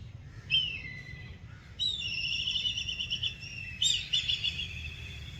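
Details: Black kite giving scream calls: three high whistled cries, the first short and dropping in pitch, the second drawn out for about two seconds with a quavering, trilled ending, the third a similar shorter tremulous whistle, over a steady low rumble.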